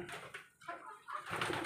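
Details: Domestic pigeons kept by a fancier in Zambales, Philippines, described as direct-import birds: brief soft cooing notes rise out of a hissy, broadband background, with a louder burst of noise near the end.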